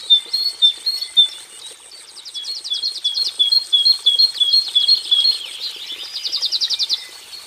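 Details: Song of a cinereous tit (gelatik batu kelabu) showing varied phrasing: quick bright two-note whistles in a fast series, followed by a harsh buzzing trill near the end; faint steady hiss in the background.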